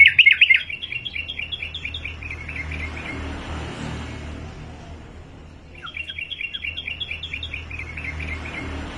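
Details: Softer, more distant-sounding sooty-headed bulbul (trucukan) song: a loud opening note, then two long runs of rapid evenly repeated notes separated by a quiet spell, with steady low hum.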